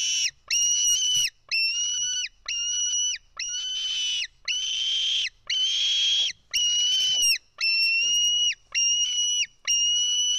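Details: Nestling White-tailed eagle in Estonia screaming for food while being fed fish, early afternoon on 4 July 2018; a long run of about ten shrill, level whistled screams with slight downturns, evenly spaced near one per second.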